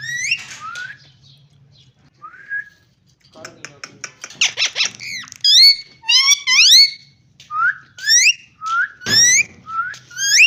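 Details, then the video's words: After quiet opening chirps, a parrot breaks into a fast run of harmonic, speech-like syllables and upswept whistles, growing louder and more continuous toward the end. "Amazing parrot talking and voice"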